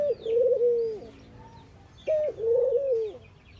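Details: Two drawn-out coos of ring-necked doves, Indian birds in morning activity, each starting with a short higher step and settling into a wavering low tone about a second long; quiet chirps above.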